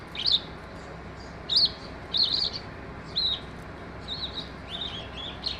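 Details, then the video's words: Skylark song of separate high chirps and short trilled phrases, each a sharp bright burst, spaced about a second apart over a low steady hiss. "Sky Lark bird is singing in full bloom."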